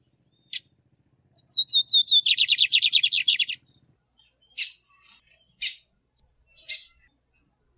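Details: A male lined seedeater sings, recorded to stimulate and teach other birds. Several high whistled notes descend into a quick, dry, buzzy trill of about twenty repeated notes, followed by short, sharp, separate chip calls.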